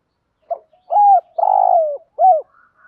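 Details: Spotted dove decoy bird calling in the 'gù thúc' urging manner used to provoke wild birds and train them to coo. A single phrase: a quick note, a rising coo, a long rolling coo and a falling final syllable.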